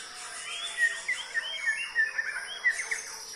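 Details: Murai, the white-rumped shama, singing a quick series of short downslurred whistles, repeated about three times a second, over a constant thin high-pitched hum.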